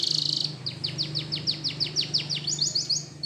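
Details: Spanish Timbrado canary training song: a high steady trill, then a quick regular series of sharp downward-sweeping notes about five per second, ending with higher clipped notes over a low hum.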